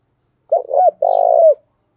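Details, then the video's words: Decoy spotted dove cooing to provoke wild birds into answering: one phrase of a short doubled coo followed by a longer, burry, level coo that drops at the end, with silence around it. "tieng chim cu mồi thuc boi căng lửa, bổi nghe gáy theo và rất nhanh nổi"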